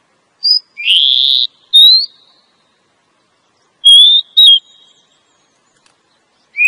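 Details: Oriental magpie-robin female voicing a lure call meant to attract a male in the forest: a buzzy, rising drawn-out note, then sparse short clear whistles with long quiet gaps between them.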